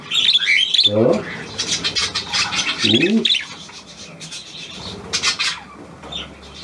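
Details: Hand-tame Australian pied budgerigar, newly acquired, gives a burst of squeaky, twittering chatter at the start, broken by a man's short spoken remarks, then softer scratchy notes and a few chirps.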